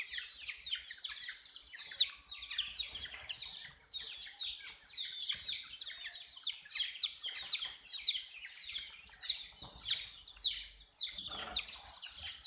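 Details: Chicken chicks, colored, chirping in a group: a dense stream of high, downward-sliding peeps from many birds overlapping, close to two per second overall, with a brief burst of rustling noise near the end.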